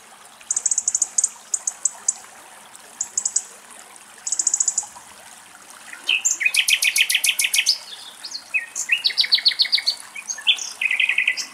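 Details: A European robin in Greek countryside in winter, bathing in icy rainwater at a bird bath, sings high, thin trilled phrases, then a more varied run of rapid twittering and tumbling notes, with quiet background rustle.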